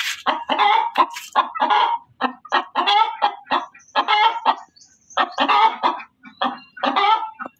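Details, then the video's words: Hen cackling loudly in a rapid series of harsh, broken clucks, about eight bursts per second with short gaps, some notes stretched into a longer squawk; a faint high whine runs in the background. "suara ayam berkokok betina"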